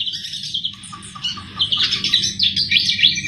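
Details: Javan flycatcher song, a lively bird used as a lure for trapping: dense, fast chattering twitters and trills mostly high-pitched, with brief whistled notes, continuing without pause and a faint low hum beneath.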